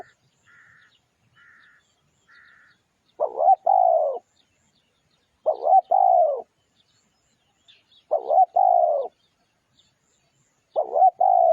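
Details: Spotted dove lure song: three faint higher chirps open the passage, then four loud cooing phrases, each a throaty double note and a longer falling coo, spaced roughly two and a half seconds apart.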